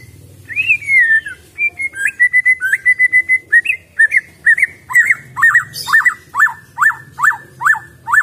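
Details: A wild-caught white-rumped shama sings rich, varied whistles that settle into a run of ringing, down-slurred notes about two or three a second, over a low background hum.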